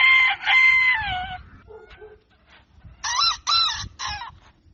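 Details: Rooster crowing at dawn, a long level crow ending in a drop, faint clucks in between, then three short rising crow notes in quick succession.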